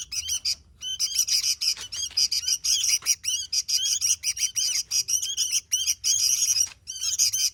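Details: Sooty-headed bulbul singing in the vigorous 'gacor' manner: a dense, continuous stream of sharp, high chirps and bright twittering notes in quick bursts, with brief gaps near the start and after six seconds.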